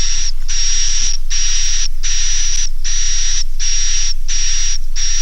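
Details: 'Naga Mas' roosting sound of edible-nest swiftlets for luring young birds to stay overnight: seven evenly paced raspy buzzes with a fine high whistle, separated by crisp brief gaps.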